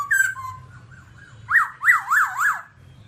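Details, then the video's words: A babbler gives a few soft wavering whistles, then four loud, even notes, each rising and falling in a smooth arch, about one every third of a second. "birds Timaliidae singing"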